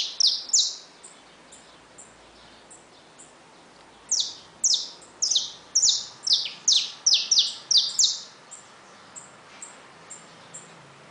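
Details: Saffron finches in a cage with their newly hatched chicks. Two bright chirps open, then after a lull a fast string of about ten sharp, downslurred high notes, with faint chatter in between.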